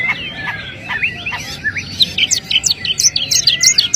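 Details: Long-tailed shrike delivering a fast medley of slurred whistles and squeaky notes that climbs into shrill, piercing chips near the end, varied and restless, with a soft low background rumble.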